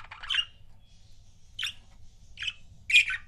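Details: Pet budgerigar pairs calling: four harsh, scratchy chirps, the first a short burst, the rest spaced roughly half a second to a second apart, the last the loudest.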